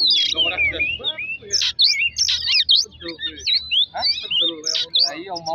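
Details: Oriental magpie-robin song used as a lure to provoke singing: rapid, varied whistled phrases with sharp rising and falling notes and chattering bursts, repeated in quick succession, with lower warbling tones beneath.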